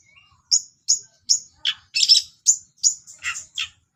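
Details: Lively long-tailed shrike song packed with mimicked sparrow and cililin notes: a soft rising whistle, then high, piercing chirps repeated about every 0.4 seconds, mixed with buzzy, scratchy notes.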